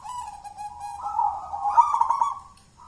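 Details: Local wild-type Zebra dove of the jolotundo style, with a thick, full voice, used as a lure. A drawn-out cooing phrase holds a steady low pitch, then rises slightly and turns more vibrant before fading out.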